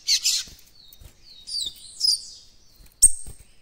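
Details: Young White-throated Seedeater practising its developing song of the encarte style: a burst of high twittering, then a thin whistle, two warbled slurs and a final sharp, sustained high note.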